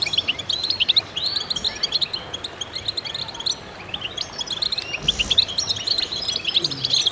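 A dense chorus of goldfinches, many overlapping bright, tinkling twitters and short buzzy trills running continuously, with brief low rustling noise.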